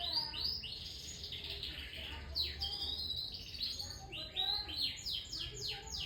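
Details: Young canary giving a quiet, rapid warbling song of repeated downward-sweeping chirps in clustered runs, with faint background noise throughout.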